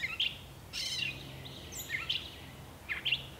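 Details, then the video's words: A brief gray catbird song fragment: a few squeaky whistled notes and one harsh, noisy burst, irregularly spaced, over a faint low background hum. "Gray Catbird Singing"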